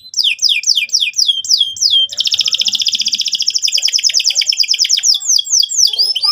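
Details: Canary singing to provoke another bird into song: rapid repeated descending whistled sweeps, then a long fast buzzy trill of tight rolling notes, ending with more quick sweeping phrases.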